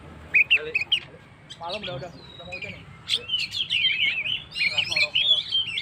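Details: Oriental magpie-robin, gacor song for provoking stressed birds: a few loud sharp chips and rattles, then a fluent warbling run of twisting whistled notes in the second half.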